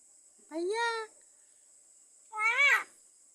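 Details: Caged pet myna copying a cat's meow: two separate harmonic, mewing calls about two seconds apart, each bending up then down, in an otherwise quiet setting.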